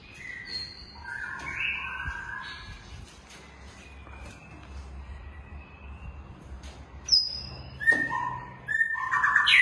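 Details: Long-tailed white-rumped shama held in a captive breeding collection, singing a varied song of clear whistled phrases, some flat and sustained, others sliding, with sharp high notes and faster rising twitters near the end over a low steady hum.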